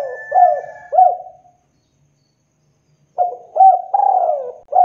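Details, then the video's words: Male spotted dove cooing to lure other doves into calling: low hollow coos in short groups, rolling and clipped notes, one phrase fading out, then a silent gap before another phrase begins. "SUARA TEKUKUR DERKUKU JANTAN GACOR 100% AMPUH Memancing DERKUKU LAIN IKUTAN BUNYI GACOR DOR"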